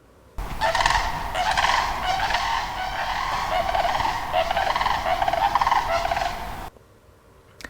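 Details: A mated pair of Sandhill Cranes gives a loud unison call that reinforces their pair bond: rolling, rattling bugles for about six seconds, with the male's voice lower and the female's higher.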